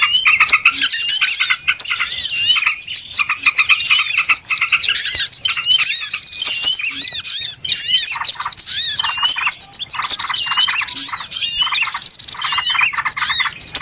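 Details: Noisy chorus of many small birds, used as a lure for trapping birds: dense, unbroken overlapping high chirps, twitters and rising and falling squeaky whistles, with no pauses.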